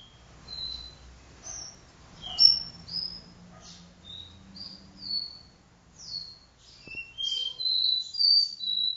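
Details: Copper seedeater of the do-re-mi vibrasom song style, singing indoors in a room: a lively run of clear high whistles, some falling and some flat, delivered about twice a second and growing louder toward the end.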